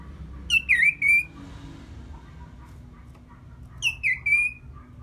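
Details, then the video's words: Orange-headed thrush song, used as a lure to make birds more aggressive after moulting: two clear whistled phrases about three seconds apart, each a sharp rising-falling note, a dip, then a steady held whistle, over quiet background hum. "Pancingan Suara Burung ANIS MERAH Pasca Mabung || Selow Bikin Burung Bergairah jadi lebih agresif"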